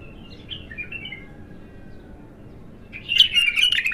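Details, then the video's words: Bulbul, local name Abtar, untrained and in its first singing session: a soft, wavering whistled phrase, then a long pause, then a louder chattering burst of song at the end. "تغريد الابتر خام اول فتحـه له ماشاء الله اسمع الساناته"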